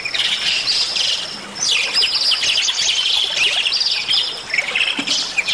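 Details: Bali myna delivering lively, varied song meant to train and stimulate other songbirds; harsh chattering phrases with sweeping slurred notes, separated by a short quieter gap near the start.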